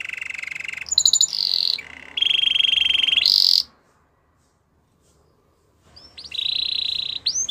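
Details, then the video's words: Canary singing, possibly a training song in the Timbrado, Gloster or Russian singing style: loud trills and buzzy rolling phrases, a short whistled section, a pause of about two seconds, then a steady rolled trill with upslurred notes. "Canary bird sounds | Your canary will sing a lot"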